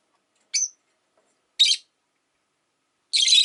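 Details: Rosy-faced lovebird in a relaxed afternoon, giving three separate piercing calls: a thin rising squeak, a harsh chirp, then a longer grating screech at the end.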